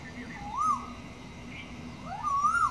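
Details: An Asian koel in Nepal gives two loud, clear rising whistles, the second longer and climbing higher, over a faint low background hum.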